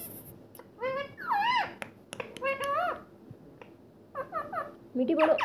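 A rose-ringed parakeet talks in three quick bursts of high, nasal, word-like phrases that swoop up and down over about five seconds, indoors and otherwise quiet.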